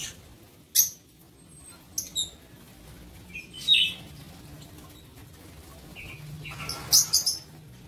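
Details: Scattered sharp, high squeaks from lovebirds in a breeding aviary come a second or more apart, ending in a tight burst of three piercing calls near the close.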